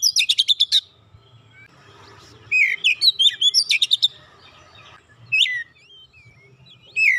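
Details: Kacer (Oriental magpie-robin) song used to coax a silent bird into singing: an opening rapid trill, then sweeping whistles and quick chirps, more scattered whistled phrases after brief pauses.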